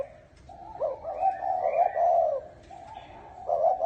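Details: Spotted dove with a chuông đồng (bronze-bell) voice, cooing to rouse males and females: a rising throaty lead-in, then a sustained mellow coo, followed by a softer low note. Faint higher chirps sit behind it.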